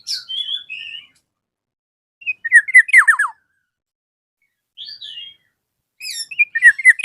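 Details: Lively Black-naped oriole calling a rival, giving repeated bursts of fast descending slurred notes every few seconds, interspersed with softer high whistled phrases.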